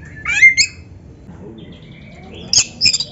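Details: Oriental magpie-robin song for training other birds: a rising squeaky phrase with a sharp note, a quiet gap with a faint thin whistle, then a sudden harsh burst and scratchy whistled notes, background low hum.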